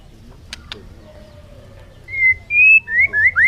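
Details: Two clicks, a quiet stretch, then a bird giving a few clear whistles: a flat note, a higher held note, and quick upward slurs.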